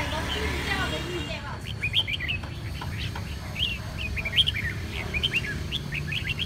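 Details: Red-whiskered bulbul recovering from a chronic cough and hoarse voice, giving a run of short, bright chirped and whistled notes in quick irregular bursts after a brief stretch of low human voice at the start.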